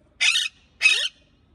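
A parakeet gives two harsh, raspy squawks about half a second apart, each lasting roughly a third of a second; no other sounds stand out.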